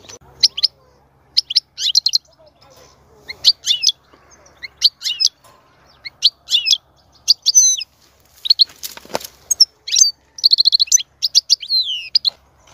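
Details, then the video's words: European goldfinch song given to stimulate a female to mate and breed; high, rapid bursts of liquid twittering and buzzy trills in short phrases with brief pauses between them, and a soft noisy rustle near the middle. "تغريد لتحفيز أنثى الحسون على التزاوج والإنتاج"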